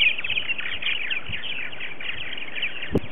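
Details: An early-season morning social of 60–70 adult purple martins at a nesting colony on 28 February 2018 chatters in a steady stream of overlapping gurgling, croaking chirps, with wind rumble behind and a single thump near the end.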